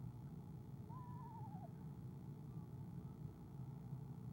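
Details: Soft trill of an eastern screech-owl greeting its arriving mate, owl cam, 17 February 2015; one brief quavering whistle-like trill dropping slightly in pitch, followed by quiet, with persistent low-frequency hum throughout.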